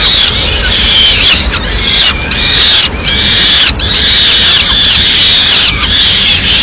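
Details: In Madrid, peregrine falcon nestlings clamour loudly as their mother arrives with a small bird at mid-morning; harsh high screams in bursts, separated by short gaps, steady and strident.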